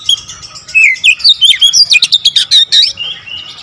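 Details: Oriental magpie-robin delivering a tight, continuous run of varied notes: twisting whistles blending into a rapid string of sharp chips and trills, with almost no gaps.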